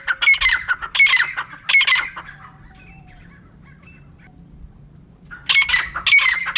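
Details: Female francolin gives three harsh squawking notes, falls silent for about three seconds, then repeats a short grating burst.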